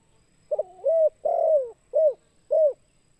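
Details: Tekukur, or spotted dove, calling in the kuk 2 pattern meant to lure wild birds: a brief doubled coo, a long throaty rolled coo, then two short clipped coos at a steady pace.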